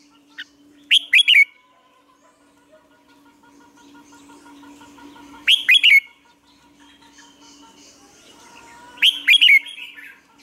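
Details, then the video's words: Caged red-whiskered bulbul singing lure song for training other bulbuls; three loud chirpy whistled phrases with clicking onsets spaced roughly four seconds apart, a steady low hum in the background. "chào mào mồi luyện giọng hót hay,giúp chào mào hót căng lửa chào mào mồi"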